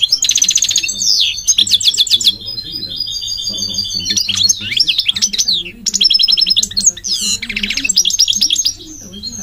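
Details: Goldfinch alternating loud buzzy trilled bursts with sweet whistled slurs and zigzag twitters in a lively, unbroken stream.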